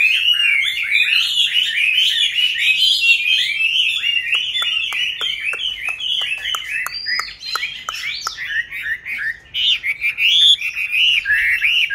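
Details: Chinese hwamei kept caged for five years after wild capture, singing a long, unbroken stream of warbled and whistled phrases. Sharp clicks and knocks sound through the middle.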